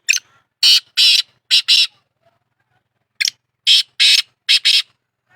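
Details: Black francolin giving two full phrases of loud, harsh, scraping notes, each about six grating syllables delivered in a jerky rhythm and separated by roughly a second of silence.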